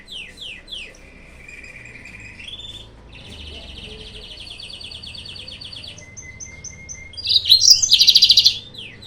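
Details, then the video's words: Yellow-fronted canary song meant to provoke rival birds: descending slurred notes, a long even trill, a steady thin whistle, then a loud harsh chattering flourish at the end. "PANCINGAN/MASTERAN BURUNG MOZAMBIK"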